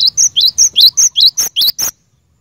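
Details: Glatik batu, the cinereous tit, in a lively song for caged-bird training. About ten crisp high notes in a fast even series, alternating flat whistles and upswept chirps, ending abruptly in silence.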